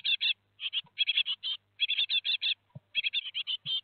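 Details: Four young Great tits leaving their nest at Théding, France, 17 July 2020: near-continuous rows of harsh, buzzy chirps with short gaps and a few low knocks.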